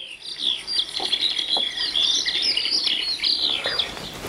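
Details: Eurasian skylark (Alauda arvensis), a field bird that sings while in the air, pouring out a continuous, high, rapid warble of trills and chirrups without a pause, with faint room noise beneath.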